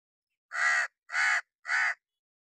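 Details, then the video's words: Harsh, raspy caws from a hooded crow sitting on wood during summer rain: three evenly spaced grating notes, each roughly a third of a second long, with short silences between. "how to crow cawing sound effects from sitting on wood enjoy the summer vibes in rain"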